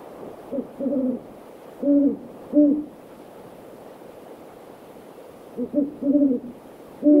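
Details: Great horned owls calling in a backyard during the evening: low, even hoots in short clusters, a pause of several seconds, then another group of two to three hoots, against soft hiss.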